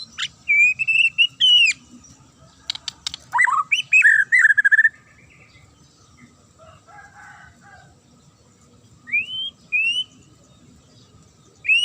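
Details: Magpie-robin with a piercing provocative song to make rival birds reply: slurred rising whistles, sharp clicking notes and a fast warbled run, then silence broken by two rising whistles and a final upswept note.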